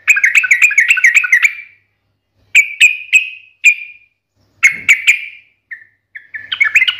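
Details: Yellow-vented bulbul delivering a keen, combative 'ngalas tarung' song: a quick burst of liquid warbles, then separate bright falling whistles spaced about a third of a second apart, ending in a fresh warbled run.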